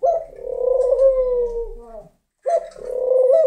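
A laughing dove gives a soft, low, bubbling coo that runs for about two seconds, breaks off briefly, and starts again.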